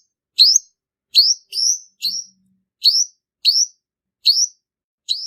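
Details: {'caption': 'Male purple-throated sunbird singing a lure song used for trapping: sharp, high, upward-flicking chips, each a quick sweep, given singly or in pairs with short pauses, in an otherwise quiet recording.'}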